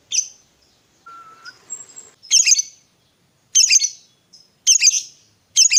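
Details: A fighter lovebird gives harsh, squeaky bursts separated by short pauses, with a thin whistle between them, on a recording meant to stir a quiet lovebird into song.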